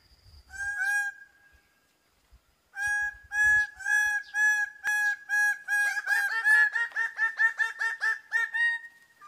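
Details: A greater bird-of-paradise (Paradisaea apoda) gives loud, nasal, honking notes: a few spaced calls, then a quickening run of rapid repeated notes near the end.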